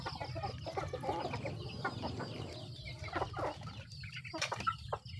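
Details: Chickens eating: quick, irregular clucks and pecking taps, about four a second, over constant low background hum, with a short high squeak toward the end.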